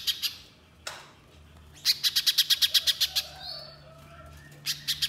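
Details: Little spiderhunter in vigorous song, delivering a rapid volley of sharp, dry, clicking notes about seven per second after scattered single chips, plus a brief thin whistle; recorded to lure other spiderhunters into rapid 'nembak' shooting song.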